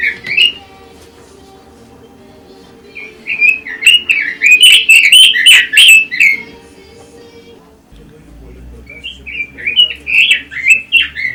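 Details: An excited, rapid warble from a red-billed leiothrix, with a loud central burst of tumbling whistled notes and then a softer phrase, set against a continuous low droning background.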